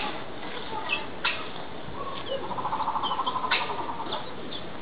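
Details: Vulturine guineafowl kept at Yumemigasaki Zoo Park, giving a fast series of evenly spaced, pulsed, chattering notes near the middle of the clip, with a few sharp clicks and background noise around it.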